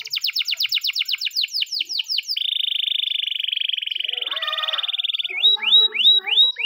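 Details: Morning training song by a champion master canary: rapid repeated whistled notes, then a long continuous buzzy roll lasting about three seconds, ending in sharp rising chip notes.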